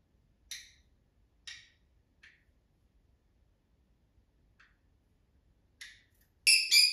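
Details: A pet conure gives short, harsh, scratchy chirps at uneven gaps of one to three seconds, ending in a louder rasping burst; such chirping signals a happy, content bird, excitement at seeing its owner, or frustration when left.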